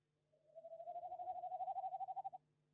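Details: Tawny Owl at a nest box on 18 January 2021, during a look inside the box. A single soft, quavering, tremulous hoot lasts about two seconds and rises slightly, with a faint steady hum behind it.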